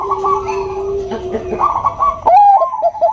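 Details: Zebra dove of the Bangkok type, a female calling the male with a nutut call: steady low coo under rippling higher trills, then a sharp rising-falling whistled coo and quick stepped notes.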